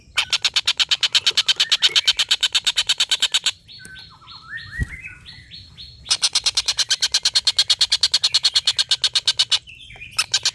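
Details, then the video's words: Tengkek buto, the collared kingfisher, in a long laughing call used to train contest birds: fast runs of loud, harsh repeated notes, broken midway by a series of short downslurred whistles from another bird, then resuming. "tengkek buto ngekek panjang master burung"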